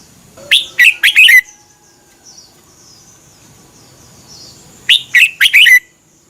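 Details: Red-whiskered bulbul song from Thailand, meant for caged birds to learn: two phrases of four loud whistled, warbling notes, about four seconds apart, with faint high chirps in between.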